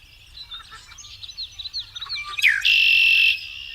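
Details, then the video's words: Male Red-winged Blackbird gives a run of short clicking notes, then a harsh, buzzy, gurgling 'conk-la-ree' trill under a second long, in marsh or wetland habitat with geese calling in the background. "almost all those calls you hear are red wing blackbirds"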